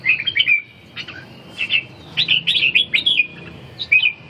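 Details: Competition red-whiskered bulbul, kept caged, singing during round four of a contest at Ha Dong, Vietnam: series of clear, lilting whistled phrases, several rapid notes run together near the middle, separated by brief silences.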